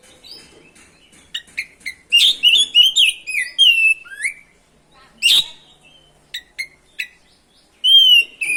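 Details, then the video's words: Oriental magpie-robin singing continuously to provoke other magpie-robins. Scattered chips lead into a loud sequence of rich whistles and buzzes. Sharp isolated clicks follow, then a clear drawn-out whistle at the end. "PANCINGAN SUARA BURUNG KACER GACOR NGEROL BIKIN KACER LANGSUNG EMOSI‼️"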